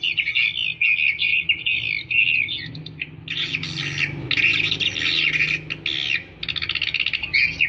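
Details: Lure calls of swiftlets used to attract the birds: dense buzzy twittering chatter, long rattling runs broken by brief pauses, with a low background hum.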